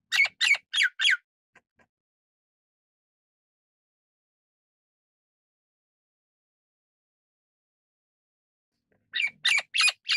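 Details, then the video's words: A Golden-crested Myna (Ampeliceps coronatus) gives harsh, squawky calls in a quick burst of four, then a long silence before another burst of four. "金冠樹八哥/Golden-crested Myna"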